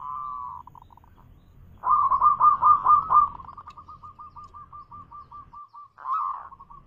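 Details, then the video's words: Zebra dove of a local strain in full manggung song, loud: a brief rolling coo, then a dense burst of warbling trills followed by a long even series of short hooked notes, ending with another rolling phrase. "Suara Manggung Perkutut lokal gacor suara keras"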